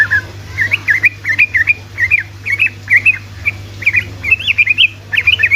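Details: Energetic sooty-headed bulbul song used as a lure for lazy bulbuls: a steady series of short, bubbly, up-and-down phrases repeated about every half second, over a faint low hum.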